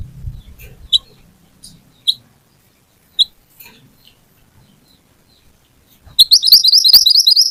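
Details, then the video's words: Little pied flycatcher in cutting lure song: spaced, sharp high single notes at first, then a sudden loud, rapid high-pitched trill of chattering notes to the end. "Pancingan Burung Mantenan / Kuniran Gacor Nembak Tajam"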